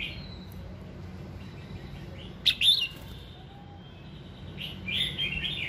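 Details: Red-whiskered bulbul giving a morning prompting song: a thin sustained whistle at first, a short loud pair of sharp warbled notes in the middle, then a run of softer bubbling phrases, with light low background noise.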